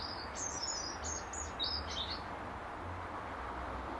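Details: A European robin sings from its regular perch in an apple tree, defending its territory: a quick run of thin, very high, varied notes for about two seconds, then silence over a low background rumble.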